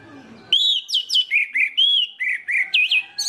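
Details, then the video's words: Orange-headed thrush song used to draw other birds of its kind into singing: bright whistled and slurred phrases around the upper-middle range, rapid varied notes in quick succession after a brief low murmur at the start. "PANCINGAN ANIS MERAH INI BIKIN GACOR ANIS MERAH LAIN"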